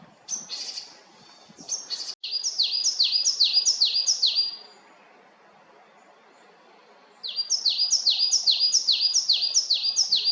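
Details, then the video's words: Japanese tit in Haenam, South Korea, singing a loud, rapid series of high two-note phrases, each a sharp note dropping into a slurred lower one. After a pause of nearly three seconds, the series resumes. "박새의 다양한 소리"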